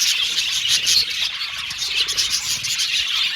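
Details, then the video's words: Cheerful budgies, Australian budgerigars, producing a brief wash of overlapping high chirps and warbles, with a few clear whistled notes poking out of the chatter. "Beautiful Cute Budgies Chirping Sound | Australian budgies Singing sound"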